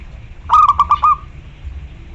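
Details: Local zebra dove in captivity, song used to call a rival: a single burst of five rolling, mellow cooing notes, the final one stretched, over faint low background noise.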